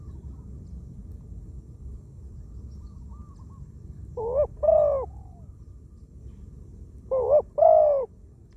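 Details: Decoy spotted dove, a wild-caught bird with a small voice that coos often, set on the ground; two widely spaced coo phrases, each a quick doubled note then a drawn-out wavering croo, with quiet background hum.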